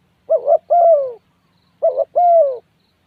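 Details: Two spotted dove phrases, each a wavering double-pulsed coo followed by a long, smooth coo that slides lower, about one and a half seconds apart, against a quiet background.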